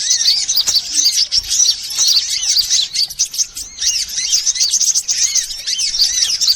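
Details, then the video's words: Several sunbird species calling together as a bird-attracting lure: busy, shrill twittering packed with short looping phrases and curved whistles, about two bursts a second, continuing without a break. "Suara pikat semua jenis burung kolibri"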